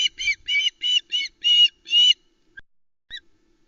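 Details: ['Loch Arkaig nest, 1 September 2020: a juvenile Osprey squawks over a huge trout from her father. Seven loud, harsh, ringing calls come in quick succession, followed by two faint short notes.']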